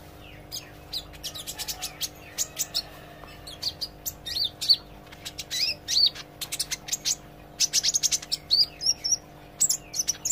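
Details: Olive-backed sunbird practising gacor and ngobra song: a long, busy stream of rapid high ticks, sharp chips and brief sweeping whistles, rising in loudness and density through the second half, with a low electrical hum beneath.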